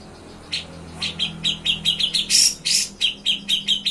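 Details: Grey-cheeked bulbul (cucak jenggot) delivering nyepik and ngetril song for training other songbirds: after a quiet start, quick sharp high notes run steadily, interrupted by two loud rasping bursts, then the chirping resumes.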